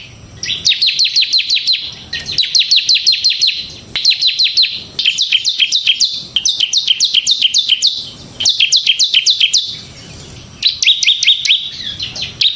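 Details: Semi-type bar-winged prinia in full ngebren song: insistent runs of quick, high, clipped chirps delivered in rhythmic bursts of one to two seconds, separated by brief pauses, with no other clear sounds.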